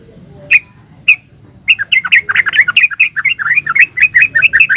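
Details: Yellow-vented bulbul in 'gacor ropel uplik' song. Two single sharp chirps are followed by a long, rapid run of liquid, bubbly warbled notes that rise and fall quickly over a quiet low background hum.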